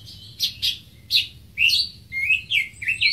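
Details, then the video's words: Greater green leafbird giving sharp high clicks, then a run of upward-slurred whistled notes, each about half a second apart. "Greater Green Leafbird (Bird Singing 74)"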